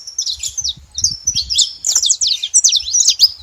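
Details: Saffron finches at a feeding site calling in a dense flurry of high sharp chirps and quick swept notes, growing busier toward the end, with faint low thuds.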